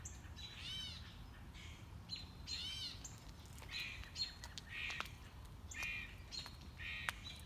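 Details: Mockingbird on a morning walk working through its repertoire: looped buzzy harmonic notes, then a series of varied short phrases roughly every second, with low background rumble.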